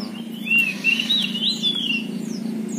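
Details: Caged Oriental magpie-robin, poci variety, owned by a songbird team, giving a fairly soft sequence of slurred whistles that rise and dip, over a steady low hum.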